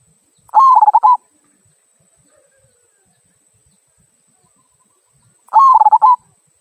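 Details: Local zebra dove delivering the "kung" song used to set other birds singing: two cooing phrases about five seconds apart, each a steady tone followed by rapid rhythmic coos, in otherwise quiet surroundings.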